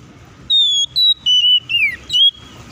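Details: Song of an Oriental magpie-robin in lively fighting mood, used to goad other birds into song: five pure whistled notes in quick succession, the fourth sliding steadily down, the last rising, on a quiet background.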